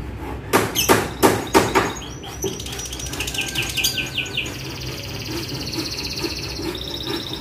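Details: Young free-singing canary in lively form delivers a varied song: a burst of loud broadband clicks or taps, then quick high trills and a long buzzy rolling phrase near the top of its range.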